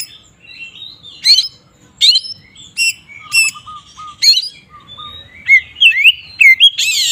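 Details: Magpie-robin ngeplong song used to agitate rival magpie-robins: spaced sharp chip notes and soft whistles, a low repeated whistled note, then louder looping whistles and a harsh buzzy note at the end.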